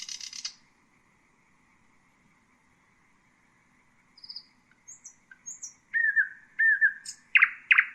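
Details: Common nightingale (Luscinia megarhynchos) song: a brief scratchy burst, a pause, then thin high notes building into loud, rich whistled phrases repeated in quick succession.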